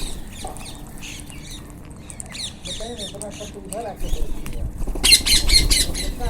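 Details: Wild Indian ringneck parrots calling: a run of quick, arched, rising-and-falling chirps, then a louder burst of harsh screeching toward the end over a low rumble.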